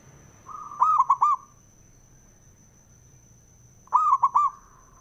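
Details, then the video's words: Local male perkutut (zebra dove) used to rouse other doves to sing: two bright phrases, each a held coo breaking into three rapid bouncing notes, three seconds apart. A faint steady high tone underneath. "SUARANYA🔊 PALING DI CARI UNTUK PENDONGKRAK PERKUTUT JADI EMOSI❗AUTO, FIGHTER"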